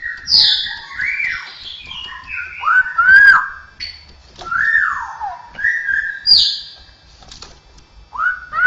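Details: Straw-headed bulbul, cucakrowo, singing mimicry of other birds, cats and humans: a continuous run of varied whistles, high slurred notes and falling glides with short pauses.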